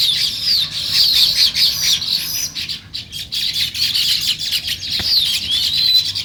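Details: Continuous sparrow chirping on a natural morning, many rapid high chirps overlapping in a busy chatter with a short dip in the middle and some thin sliding notes.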